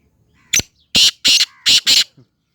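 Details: Black francolin (kala teetar) calling, in Sindhi teetar style: one sharp harsh note, then two quick pairs of loud, rasping, buzzy notes, all within about two seconds, on an otherwise quiet background.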